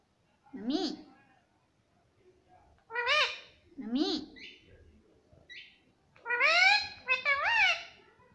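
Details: Talking pet parrot calling "mummy" over and over: about five drawn-out, nasal, bending syllables spaced a second or more apart, with faint chirps between.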